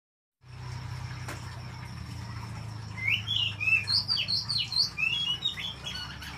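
An oriental magpie-robin sings a rapid run of varied, sweet whistled notes and short slurred phrases over a steady low hum.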